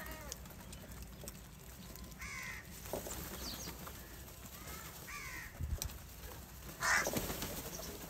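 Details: A very large flock of crows gathered for salty food and fighting over it: harsh, hoarse caws in short bursts, three clear calls spread over several seconds, over a steady low rumbling background and faint scattered calls.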